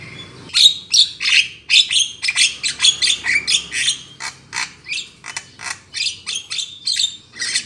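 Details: Black-winged myna lure call for catching birds: a long, fast string of scratchy, clipped squawks, roughly two or three per second, steady and insistent throughout.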